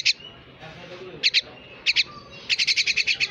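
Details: Pet myna calling with short pairs of bright, high chirps, then a fast run of about ten even chirps at the end, over quiet room noise.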